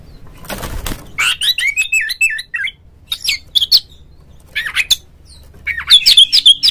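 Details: Caged Oriental magpie-robin lure song to provoke a rival into singing and fanning its tail; a brief rustling burst, then rapid chattering phrases of whistles and trills in clusters, ending in bright high notes.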